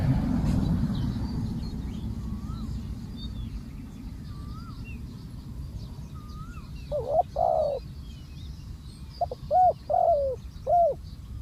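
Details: Spotted dove used as a ground decoy during dove trapping. Low, hollow cooing arrives in two bursts, a short phrase near the middle and a longer run of repeated coos near the end. Faint thin chirps from other birds and steady low rumbling noise sit behind it.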